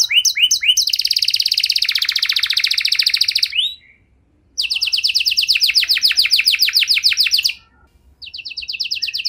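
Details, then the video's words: Canary singing to spur other canaries into song: staccato chips leading into a long rattling trill, a short break, another fast trill of repeated notes, a brief gap, then more trilling. "Kenari Gacor Durasi Panjang Cengkok Istimewa! Efektif Buat Memancing Kenari Macet Biar Gacor Kembali"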